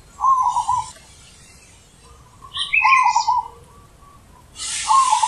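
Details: A deep-voiced zebra dove sings three rolling, trilled coo phrases about two seconds apart. Another bird chirps higher between them, and a burst of hiss accompanies the last phrase.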